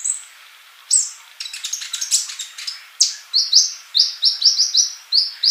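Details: Energetic male olive-backed sunbird song meant to teach silent young birds: a dense run of thin, high chattering notes, then a string of sharp, slurred downward chirps repeated rapidly.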